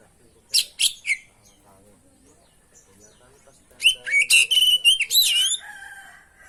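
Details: Oriental magpie-robin (kacer) singing loudly with mimicked fill-in phrases, meant to coax other birds into song: a few harsh scratchy notes, a quiet stretch, then a fast run of level whistles, clicks and buzzy notes.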